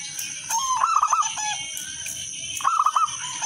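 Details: Zebra dove of local wild stock singing clearly and melodiously, used to lure other doves into song. A rising coo leads into a bubbly trilled phrase, then a second trill follows; a high steady hiss continues throughout.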